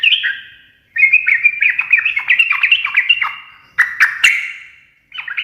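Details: Sooty-headed bulbul ngekek garuda song, said to make birds answer: a warbling, jumbled phrase of liquid notes, then a few harsher squawky notes and a short final phrase.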